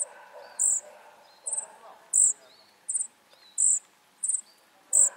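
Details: Young flycatchers in the nest give hissy, very high-pitched bursts about every half to one second, some bursts stuttered into quick triplets. Soft thin downslurred notes also appear, with low background rumble.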